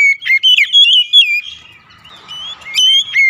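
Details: House-kept oriental magpie-robin singing to stimulate other birds: a fast run of clear whistles swooping up and down, a short pause filled with soft chatter, then renewed ringing whistled notes.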